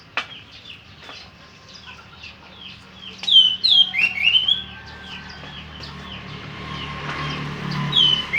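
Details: Orange-headed thrush singing: a varied run of clear whistled and slurred phrases, some rising and falling, with quieter notes between bursts and faint background murmur.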